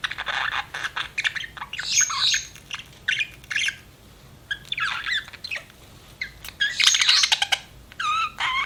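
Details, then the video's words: Budgie chirping continuously, a long stretch of rapid scratchy chatter, squawks and warbled whistles in uneven bursts, closing with a looping whistled note. "BUDGIE CHIRPING SOUNDS"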